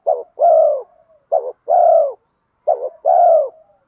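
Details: Spotted dove in the urging 'giọng đồng' voice style, used to lure wild spotted doves in: three phrases, each a brief broken double note followed by a long, steady, low mellow coo, separated by short silences.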